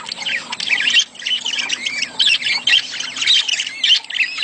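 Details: Budgerigar courtship warbling to prompt a female to lay: dense, rising and falling squeaky chatter with short rasping notes. It runs almost without break, with a faint low hum in the background.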